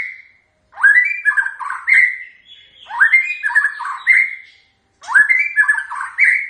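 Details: White-rumped shama singing its typical song: rich whistled phrases rising from low notes to a sustained high whistle, repeated in three bursts about two seconds apart with short pauses between.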